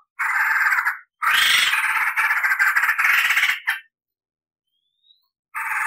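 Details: Tutor recording of a white-crested laughingthrush singing clear rolls and cackles: long bursts of dense harsh chattering broken by short pauses, a faint thin upslurred whistle in a quiet gap, then chatter resumes.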